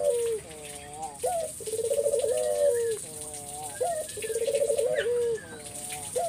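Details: Spotted dove cooing as a lure to make other doves answer. Repeated phrases of a short rising note, then a rolling vibrating coo ending in a falling drawn-out tone, about two full phrases, with steady faint hiss.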